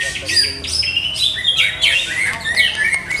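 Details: Greater green leafbird in a cage, still being tuned by its keeper, gives quick bright whistled phrases and short slurred notes, rattled off almost three per second.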